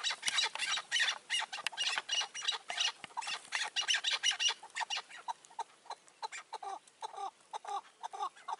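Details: Chukar partridges calling in May 2024 around a roof trap with a caged decoy bird: dense, harsh rasping bursts at first, then clearer separate clucks repeated quickly in the final seconds.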